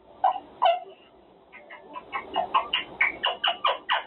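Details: A male pet monk (Quaker) parakeet, practicing his words during cage time, gives two harsh, raspy notes, then a fast run of about a dozen short, chattering syllables that grow louder.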